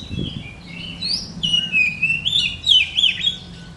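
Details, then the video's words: An Oriental magpie-robin in full song while pushing its tail sings a rich, continuous run of clear whistles, sliding and warbling up and down with quick pitch changes, over a faint low hum. "SUARA BURUNG : Kacer BLOROK gacor"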